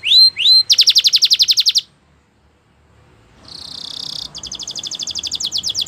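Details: Canary singing a champion song for training: two rising whistles, a loud fast trill, a quiet break, then a hissing tone becoming a rapid pulsed trill.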